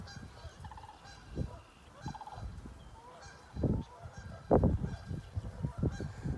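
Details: Rattling, rolling calls of a sandhill crane over Ontario fields, the first of the year, two bursts in the opening seconds, then heavy wind buffeting and low thumps from the recorder.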